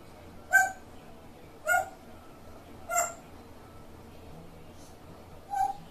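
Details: A grey parrot makes its distinctive, quirky call, three quick harsh nasal squawks about a second apart, then a pause and a softer, lower final note, over a low steady indoor hiss.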